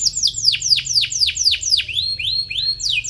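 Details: Atlantic canary singing as if calling out a rival, used as tutor song for young canaries; clear downward-swept whistles repeat about four per second, then shift into rising slurred notes.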